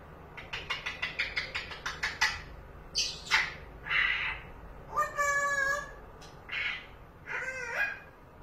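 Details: Pet parrot indoors, seeing a cat through the window: a rapid run of sharp clicking notes, then several harsh squawks and drawn-out vocal phrases, with a person speaking right after.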